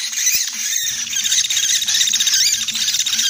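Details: Common flameback trapping lure: a steady shrill rattle with a few slurred rising notes, over a low intermittent murmur and one sharp click early on.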